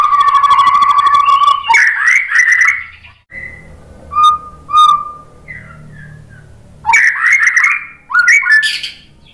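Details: White-rumped shama from Indonesia singing a provoking song meant to make other birds answer: a long steady whistled note, then bursts of rapid buzzy chattering phrases separated by short clear whistles.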